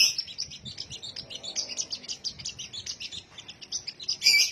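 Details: High-pitched sunbird song, a continuous quick chatter of thin chirping notes with a sharp, louder burst closing the phrase.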